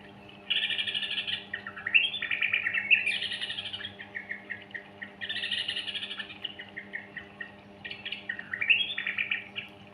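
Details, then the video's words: Trucukan, or sooty-headed bulbul, singing in chatty rapid 'gacor ropel' style meant to coax young birds into song; two bursts of bright, bubbly chirped phrases separated by a short lull, with a faint constant hum beneath. "Pancingan Anakan Burung Trucukan Gacor Ropel"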